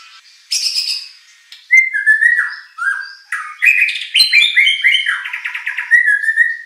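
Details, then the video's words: White-rumped shama (murai batu) lure song for provoking a competition bird to sing back: varied whistled phrases, downslurred notes and a fast burst of mixed chips and trills, ending on a steady whistle. "shama bird beautiful song performance"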